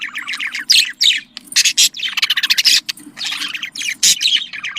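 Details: Pet budgerigars, a breeding-stimulation call: loud bursts of buzzy, twittering warble and sharp chirps in clusters, over a faint low hum.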